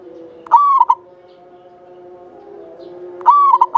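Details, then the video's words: Local Javanese zebra dove in full song, with a long, clear voice, kept as a lure bird. Two cooing phrases about three seconds apart, each a sharp start and a held clear note, then two short clipped notes. Faint low humming underneath. "Perkutut lokal jawa gacor buat pancingan suara panjang bening"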